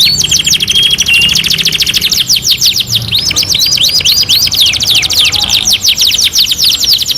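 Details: Canary song from a master training recording: an unbroken stream of very fast, high rattling trills and clipped whistled notes, with a few smooth flat whistles woven in, loud throughout.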